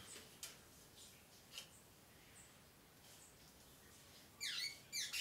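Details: Double-collared seedeater (Sporophila caerulescens), likely caged, singing from its perch: two short bursts of sharp, high, chattering notes near the end, after a mostly quiet stretch broken by a few faint ticks.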